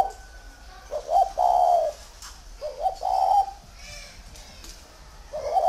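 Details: Spotted dove from a northern Vietnamese dove garden in Ba Vì: three cooing phrases about two seconds apart, each a quick double note leading into a drawn-out, level, throaty coo.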